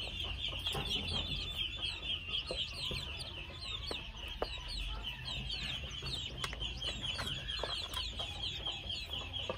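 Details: Two-month-old red junglefowl chicks giving a dense, continuous stream of thin, high, overlapping peeps and short downward chirps over a steady high-pitched hiss, with occasional lower clucks and a soft low rumble in the background.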